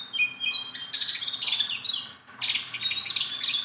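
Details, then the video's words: Singing tirelessly, a tame Sunda bulbul pours out overlapping high whistles and trills that rise and fall. After a brief break, a second dense burst of bright notes follows. "BURUNG JONGKANGAN GACOR TELER JINAK PETETAN"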